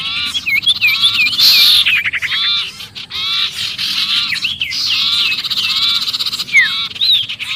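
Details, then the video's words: Agitated sirpu distress calling, as if caught in a trap, used as lure audio for other birds: rapid squeaky arched notes and downward slurs in overlapping bursts, with a constant high hissing background. "suara pikat sirpu Ribut kejepit"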